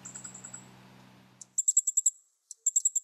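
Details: Fire-breasted Flowerpecker, recorded in 2011 at Shanlinxi, Taiwan, where it feeds on mistletoe fruit, gives very high, thin ticking notes in quick bursts of five or six, after a brief low hum fades out.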